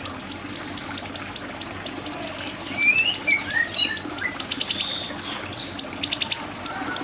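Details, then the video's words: Siri-siri bird, recorded for song tutoring: a fast, steady run of sharp, very high ticking notes repeated several times per second, with a few thin rising whistles mixed in and a quiet background. "Masteran Burung Siri-Siri"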